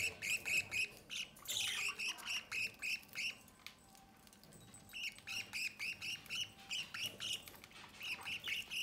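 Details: A budgerigar chick being fed at the nest door by its parents. Fast, evenly pulsed rasping begging notes, about four a second, run in two long trains separated by a short lull.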